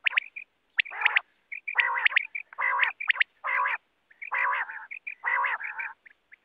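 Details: Wild quail call played for net hunting: sharp rising whistled notes in quick triplets alternating with harsh, nasal buzzy bursts and short high pips, roughly one phrase per second; no other sounds.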